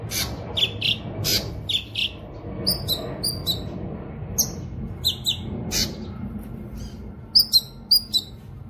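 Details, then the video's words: Cucak kinoy song, used for teaching songbirds and as a lure; mixed clear whistled notes and harsh buzzy strokes in loose groups, ending with four quick bright notes, over faint low background noise. "suara burung CUCAK KINOY gacor"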